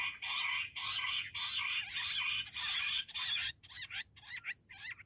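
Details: Bush quail giving a rhythmic run of loud, rasping bursts, about two per second, easing into shorter, thinner notes toward the end.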